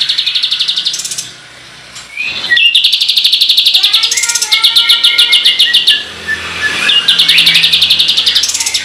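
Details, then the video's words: Kapas tembak, or white-shouldered triller, delivering its rolling 'shot' song meant to excite other birds: brief trill, a quiet gap, then long runs of rapid, high, chattering trills with soft descending whistles underneath. "MASTERAN BREN KAPAS TEMBAK GACOR ROLL TEMBAKAN‼️ PANCINGAN BURUNG KATEM EMOSI"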